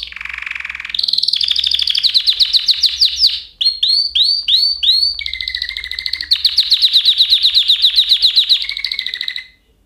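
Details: Canary song of fast rolling trills, a run of repeated upward-hooked whistles, then long rapid buzzy rolls, loud and continuous.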